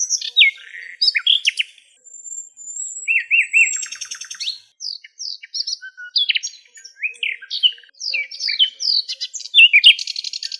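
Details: Nightingales recorded in their natural habitat in Greece: rich, varied song of quick whistled notes, sharp chirps and a dry buzzing rattle, delivered in short bursts with brief pauses.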